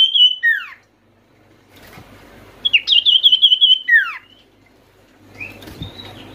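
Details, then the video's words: Sirtu, or Oriental white-eye, calling as a lure to make non-singing birds sound off: a bright trill dropping into a slur, a pause, then a longer rapid trill with falling tail notes. "sirtu malas bunyi pasti langsung nyaut dengar pangilan SIRTU/CIPOH ini"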